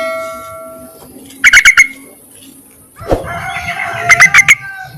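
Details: Yellow-vented bulbul call for summoning males, suited to luring birds. Two bursts of four or five quick, bright chattering notes separated by a pause, with a soft knock and faint background tones between them.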